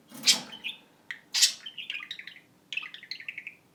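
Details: Pet parakeet (budgerigar) mimicking a ringing phone: a rough squawk, then rapid pulsed trills that step gently downward in two runs, separated by a sharp chirp, indoors.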